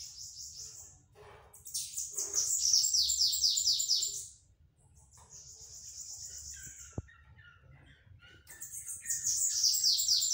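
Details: High-pitched bananaquit song in the 'pitiú' beat style: bursts of fast, sibilant downslurred notes, a pause with a flat buzzy trill and scattered chips, then another rapid burst.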